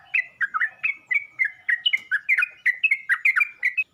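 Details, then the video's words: Calling yellow-vented bulbul trying to draw in other bulbuls, pouring out a dense, nonstop chatter of bright, slurred chirps in short bursts, each note bending quickly up or down. "Burung trucuk ini pandai memangil burung trucuk lain"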